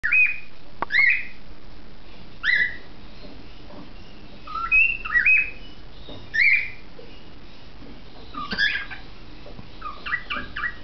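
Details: Two young cockatiels, a heavily pied cinnamon hen and a grey male, give short whistled calls and chirps that rise and bend, in loose bursts every second or two.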